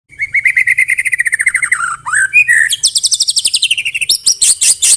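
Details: White-rumped shama singing a loud song with canary and cililin mimicry. A fast rattling trill of evenly spaced notes runs for two seconds, then a brief falling slur and rising phrases, ending in sharp, buzzy high notes repeated rapidly.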